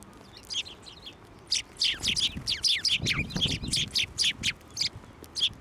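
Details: Several sparrows fly to a hand for food at a Tenmangu shrine on 29 January 2024. Rapid high chirps follow one another about four times a second, over soft low rustling.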